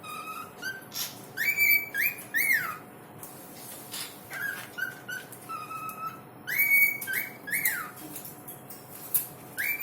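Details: A talking bird gives loud whistled notes rich in overtones: short rising and falling slides and level tones in clusters, with brief pauses between bursts, over a faint steady hum.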